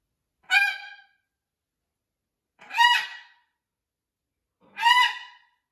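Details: Three evenly spaced, nasal, harmonic calls from a blue-and-gold macaw adapting to its new flock at a parrot rescue, each about half a second long and repeated roughly every two seconds.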